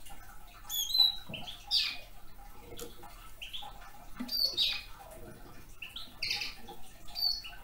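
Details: Short, high, clipped calls from a young male red crossbill, coming in loose bursts every couple of seconds, with scattered clicks and crackling between them.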